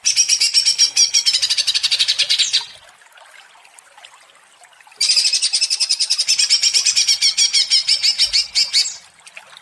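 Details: Two bursts of ngentrok chatter from an agitated greater green leafbird, rapid harsh high notes each lasting over two seconds, with a quiet gap of a little more than two seconds between them.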